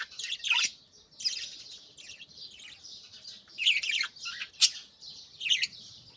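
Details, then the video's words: Early-morning budgerigars, several birds active around nest pots with young being fed: rapid squeaky chirps and rasping warbled phrases, rising and falling in loudness. "بجریز کی خوبصورت صبح 🦜Beautiful Morning Vibes & Chirping Sounds"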